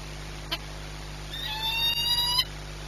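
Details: One Peregrine falcon, ringed 8BS, at Orlen in Płock on 22 March 2021 at 14:39. A single click comes first, then one nasal, rising, strongly harmonic call lasting about a second against a low steady hum.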